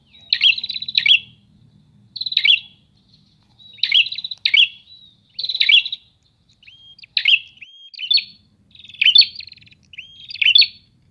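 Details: Prinias calling back and forth, lively and busy: bursts of buzzy, scratchy high chirps with short rising whistles, phrases repeated roughly every second or two over faint low background hum.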